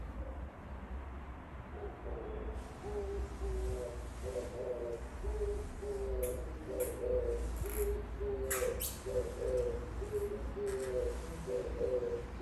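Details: Oriental turtle dove singing outside the window. Muffled background hum at first, then from about two seconds a series of deep, gentle coo phrases repeated at a regular pace to the end, with faint clicks.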